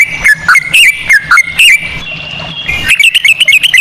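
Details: Whistled lure song of a sooty-headed bulbul, ropel style with straw-headed bulbul phrasing: clear, fast, inflected notes, a held thin tone during a short pause, then a quicker burst of chirpy notes.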